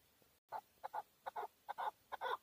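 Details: Quieter paired clucks from a male hunting chukar partridge in Tajikistan, 2020: double chuck-chuck notes repeated about every half second over a faint background hiss.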